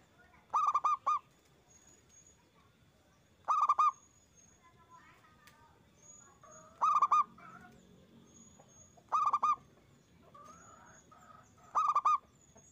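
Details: Zebra dove (perkutut) lure recording: five short bursts of quick, hollow coos, spaced about two to three seconds apart, over thin, high whistles from other birds and a low background hum.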